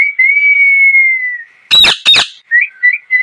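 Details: Parrot chirping: a long steady whistled tone, then two harsh broadband squawks, then a few short rising chirps.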